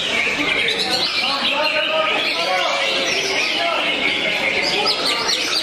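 Greater green leafbird in a dense, nonstop high song of fast chattering trills and cricket-like buzzy phrases, with a busy background hubbub.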